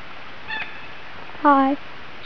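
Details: At Mason Falls, Kinglake National Park, Victoria, Australia, a lyrebird mimics calls of currawong, bell birds, galah, magpie and kookaburra: a brief thin, high note, then a louder, lower, nasal honk-like call about a third of a second long, over quiet hiss.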